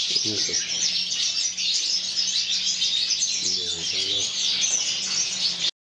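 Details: Several mutation European goldfinches in a flight aviary sing together in a continuous, high, liquid twittering chorus of rapid tinkling notes, with brief human voices heard twice.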